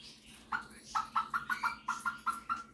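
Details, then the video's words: Pet male Superb Parrot, asked what the chicken says, mimics clucking with about ten short, evenly spaced clucks, followed by a person asking for a dog's sound. "Superb Parrot Malibu showing off his singing and mimicking skills"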